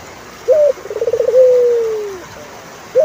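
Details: One full turtle dove phrase: a short raised note, a rapid pulsing run and a drawn-out coo that slowly falls in pitch, then the opening note of the next phrase.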